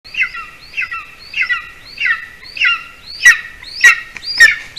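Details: Golden eagle at a nest in Latvia, evening of 06-12-20 at 8:42 p.m., as the adult male delivers a larger bird to a hungry chick; loud, ringing, down-slurred chirps repeated about twice a second, later ones sharper.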